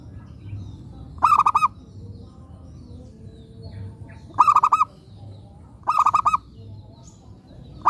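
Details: Four short bursts of rapid, warbling coo pulses from a lively local zebra dove used as a lure bird, phrases coming every one to three seconds over a soft low drone.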